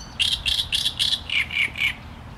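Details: Short phrase of Great reed warbler song: seven loud, harsh, throaty notes in steady succession, the last three slightly lower in pitch.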